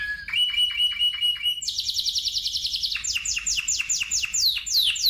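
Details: Spanish timbrado canary singing: a clear whistled note, a series of repeated upward-stepped chirps, a fast high trill, then loud descending sweeps; faint low hum beneath.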